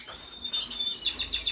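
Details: Red siskin singing, recorded 5 April 2022: a short burst of high, thin twittering notes with a few sharp, quick repeated chips toward the end.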